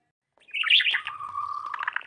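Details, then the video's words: A sparrow gives a burst of bright, harsh chirps, then a steady, even note that breaks into quick chirps at the end. "Beautiful Sparrow sound Beautiful sparrow calling Sparrow Bird voice"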